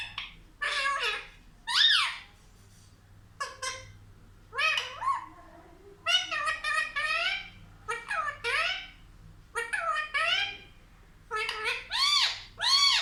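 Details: A pet talking parrot, kept indoors and said to talk like a child, producing a run of speech-like phrases with bright, harmonic, rising-and-falling syllables in short bursts separated by brief pauses, with a low steady hum in a small room.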